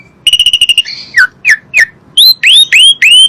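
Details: Lure recording of Asian pied starling song to make other birds answer: a fast run of even clipped notes, falling slurred whistles, then loud rising upswept whistles repeated about every third of a second.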